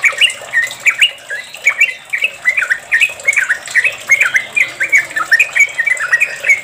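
Sooty-headed Bulbul giving a long run of bubbly, chortling phrases, quick and liquid, rising and falling in mid-high pitch, with almost no pause between them.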